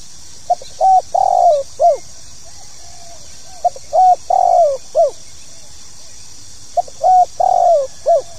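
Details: Calling coo of a spotted dove, pokal tanggung style, said to make new birds sing. Three repeated phrases roughly every three seconds: short lead note, level coo, long sliding-down coo, short end note, all low and mellow over steady hiss.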